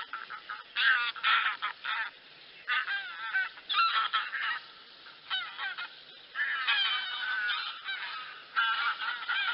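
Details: A flock of wild geese, possibly barnacle or greylag, honk with harsh, nasal calls that overlap in dense bursts, with short pauses between volleys.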